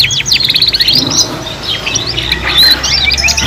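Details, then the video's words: Canaries singing for young birds learning their song, in a three-in-one mix. Quick repeated rattling notes open, then bright twittering phrases and a ringing trill, with a steady low hum underneath. "KENARI PAUD BELAJAR BUNYI BARENG 3 IN 1 | CANARY SINGING"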